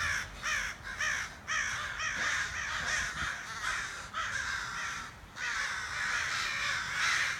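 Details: Several harsh, grating caws from crows outside a back door, coming in irregular bursts and sometimes overlapping into a longer ragged stretch near the end.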